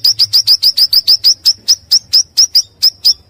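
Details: Pancawarna bird call used to lure wild birds and as tutoring material: a rapid string of short, high, upward-flicking chirps that starts quickly and gradually slows toward the end.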